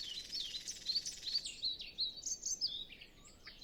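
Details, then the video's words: Before sunrise on a still, windless morning, with other birds still silent, a Nightingale sings a fast run of varied high, sharply rising and falling notes, dense and twittering, over a quiet background; captured with a Zoom F6 and Sennheiser MKH 8040. "Nightingale Sound Library"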